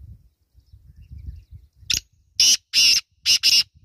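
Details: Black francolin calling: after a second of low rumbling, a brief harsh note, then a rapid series of four loud, grating, broadband bursts, the last pair close together.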